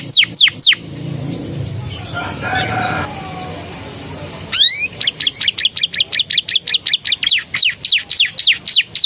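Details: Canary performing a training song with Javan tesia and bar-winged prinia phrases. A few sharp sweeping notes, a quieter noisy pause, then a long, lively run of high, rapid, down-slurred chips.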